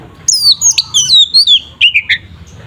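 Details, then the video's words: Oriental magpie-robin (kacer) singing a 'tarung ngeplong' fighting song, used to provoke another magpie-robin into agitation; loud clear whistled notes sliding downward, several phrases in quick succession, ending in lower rising whistles. "Suara burung Kacer TARUNG NGEPLONG sangat efektif untuk pancingan Kacer agar emosi"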